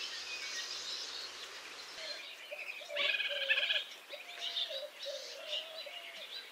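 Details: White-breasted nuthatch with forest ambience: a short burst of rapid, nasal, harmonic-rich notes near the middle, over a dense background of other birds' chirps and steady lower whistled tones.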